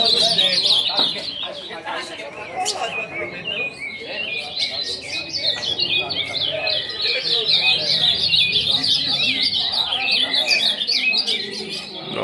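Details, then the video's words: A chorus of caged ultramarine grosbeaks, around 30 cages, recorded about 22 February, singing at once: dense, overlapping sweet warbled phrases, high-pitched and nonstop, with a person's voice faintly in the background. "Grande Baderna de azulão"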